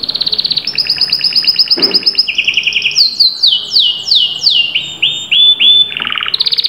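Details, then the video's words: Canary singing an energetic stimulation song: rapid high trills held in steady rolls, a brief lower buzzy roll, a run of descending swept whistles, then a deeper chopped trill before high rapid notes return. "تمتلك كناري لم يغرد منذ فترة؟أسمعه هذا التحفيز 😚hot canary"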